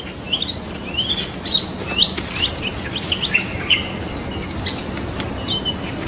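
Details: White-rumped shama of the Medan type, a kept songbird, giving a run of short bright chirped notes at about one per second, some upswept, against a steady low hum and background noise.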